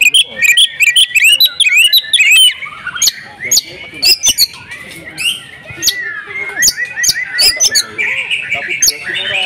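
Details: Female oriental magpie-robin kept at home, singing loudly with many imitated phrases: fast high whistles, sharp chips and rising and falling slurred notes in dense bursts, then thinner scattered notes and short trills.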